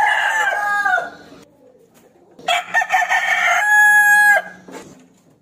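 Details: A rooster inviting its rival to fight gives the end of one crow and then a full, loud, strongly harmonic crow of about two seconds with a sudden cutoff.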